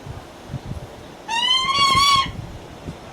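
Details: A single drawn-out, plaintive wail lasting about a second, rising slightly and rich in overtones, from a captive Lanner falcon at Kakegawa Kachoen in Japan, calling sweetly to ask for attention.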